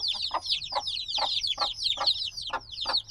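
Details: Close, loud chorus from newly hatched black chicks: piercing high peeps sliding down in pitch, several at once, and soft knocking sounds about every half second.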